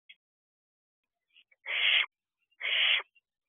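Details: Barn owl owlet outside its nest box on a June evening, 16 June 2023 at 8:22 pm, giving two harsh, breathy hissing screeches about a second apart, each roughly half a second long, amid near silence.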